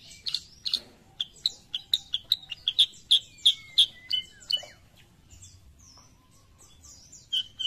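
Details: Sooty-headed bulbul, a kutilang sutra from Indonesia, singing a run of sharp, bright chirps about three per second, some with short falling slurs. The notes thin out midway and a few scattered high notes follow near the end.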